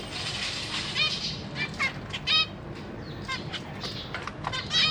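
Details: Newly hatched zebra finch chicks give short, high, harmonic begging calls in quick bursts while their busy parents feed them.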